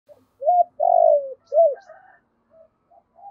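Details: Decoy spotted dove, recorded directly, cooing to lure wild doves: a short low coo, a long swelling coo falling at the end, then a short arched coo, followed by faint softer notes.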